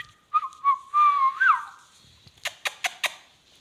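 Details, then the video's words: Parrot whistling a steady mid-pitched tone that wavers, then rises and drops away. Four quick sharp clicks follow near the end. "talking heavan beutyfull beutyfull parrot"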